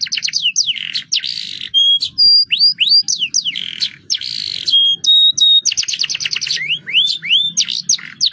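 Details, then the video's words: Domestic canary in a rolling song style, used to prompt other birds to sing: fast repeated downward-sweeping whistles in dense trills, with a few steady pure tones. The song runs almost without pause, in clean high notes. "kenari roll gacor dor pancingan paud"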